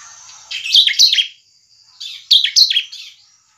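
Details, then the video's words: Bar-winged prinia, 'semi crystal' style song meant to lure other prinias into singing: two short bursts of piercing chirps, each note dropping steeply in pitch, with a thin constant high tone in the background. "Ciblek semi Cristal gacor cepat memancing ciblek gacor"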